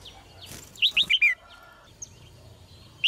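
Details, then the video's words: Female red-whiskered bulbul giving a quick burst of four bright, descending chirped notes, followed by faint scattered notes over low background hum. "นกหัวจุก birds - เสียงนกร้องตัวเมีย ร้องได้ไพเราะมาก ตัวผู้ร้องแรง"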